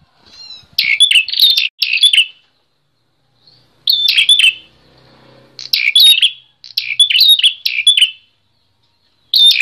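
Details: Bar-winged prinia; song; used as a master recording to train other songbirds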